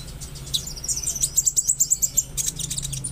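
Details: Konin song used to coax a stressed or silent bird: a quick, even trill of high pulsed notes, about a dozen in rapid succession, framed by buzzy chatter, over a steady low hum.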